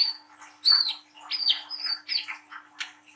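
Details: Brown-throated sunbird, a young speckled bird in lively song of the ngriwik nglagu style, used to stimulate young birds to sing. Short high, thin chirps and sharp whistled notes come in uneven bursts, about one every second.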